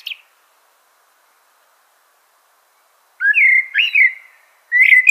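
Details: Common blackbird song after a long silence: two brief mellow whistled phrases that rise and fall, then another fluted phrase begins at the end. Scattered high squeaky notes accompany the whistles.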